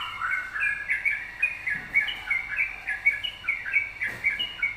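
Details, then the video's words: Yellow-vented bulbul song used as a lure to provoke other birds to sing: lively repeated mid-pitched warbled phrases, bubbling and rising, about two per second, over a faint steady hiss. "pancingan trucukan gacor"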